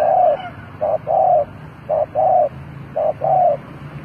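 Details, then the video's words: Decoy spotted dove cooing to lure wild doves: low, hollow coos in three-part phrases, a long coo, then a short and a long one, repeating about every second. "chim cu mồi gáy gọi bổi"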